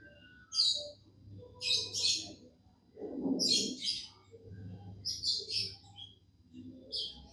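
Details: Happy pet budgerigar singing: short bursts of high scratchy chirps and warbles separated by brief pauses, with a low muffled thump in the middle.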